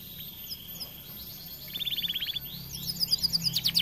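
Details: Canary in lively 'gacor' song: quiet faint notes at first, then a rapid even trill at mid-height, followed by loud high ringing repeated notes.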